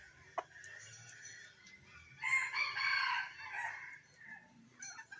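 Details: Decoy rooster of F1 stock, 19 December 2021, heard after a faint start with a single loud, broad, hoarse crow of about a second, then quieter trailing notes over low background hum.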